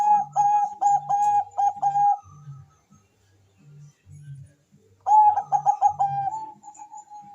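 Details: Bangkok-type zebra dove, a persistent singer used as a lure to stimulate mating urge and singing, gives two bursts of rapid staccato cooing notes, each chopped into quick beats, with soft low throbbing pulses beneath and a quiet gap between bursts.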